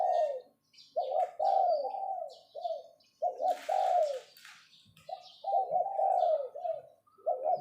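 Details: Spotted dove kept as a decoy, calling in the 'phao' style: a run of rolling, throaty coo phrases with stuttering starts and drawn-out falling ends, closely repeated, with brief high twittering and a short rustle behind.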